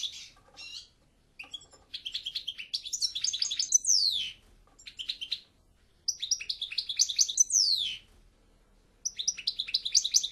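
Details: Repeated phrases of European goldfinch song, each a couple of seconds of quick liquid twittering and trilling ending in falling slurs, separated by short silences.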